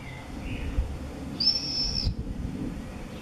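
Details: At observation nest boxes for common swifts in a house in Beek-Ubbergen, Netherlands, on 8 June 2014, 'bangers' visit the entrance holes. A single sharp, high, sizzling scream lasting about two-thirds of a second, preceded by faint softer notes.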